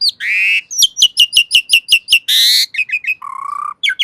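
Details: Asian pied starling opening with a harsh drawn-out note, then a rapid string of about eight sharp whistled chips, a rasping burst, quick upslurred notes and a low buzzy trill.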